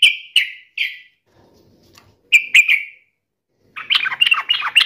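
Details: Yellow-vented bulbul in full song, taunting a rival to make it answer: short bright notes in two clusters with slurred falling tails, a pause, then a denser burst of quick chattering notes.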